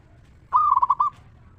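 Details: Local zebra dove from Indonesia in 'ngeristal' singing style, meant to provoke other zebra doves to reply. A single short phrase of five or six quick, rounded, bubbling coo notes at an even pitch.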